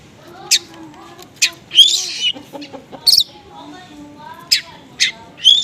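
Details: Konslet-style oriental magpie-robin lure with small-bird material, played so that sluggish magpie-robins answer. High piercing chirps and buzzy bursts alternate with lower, drawn-out harmonic notes, irregular and choppy.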